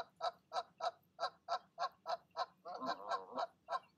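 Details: Goose calling down to goslings before they leap from the nest, evening; evenly spaced short honks about three a second, with a brief harsher, overlapping burst in the middle.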